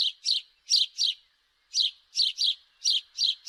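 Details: Rapid doubled chirps from a house sparrow, sharp and bright, coming in pairs with one brief pause midway.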